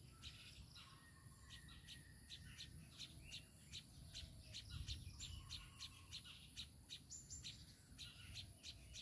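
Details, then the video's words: Baya weaver with its chicks, an ongoing chatter of sharp high chirps about three each second, interspersed with short lower whistles, over a constant insect whine and low rumble. "babui pakhi are tar baccha"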